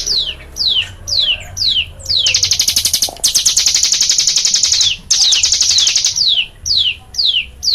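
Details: Songbird called cigun delivering a loud 'nembak' style song: high, sharply falling whistled slurs repeated about twice a second, broken by long, fast, rattling high trills, with a low hum underneath.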